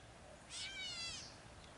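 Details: Catbird on the Red Deer River bank at Participark, Drumheller, Alberta, Canada, giving one drawn-out, nasal, cat-like mew with a slight rise and fall. Steady outdoor background hiss.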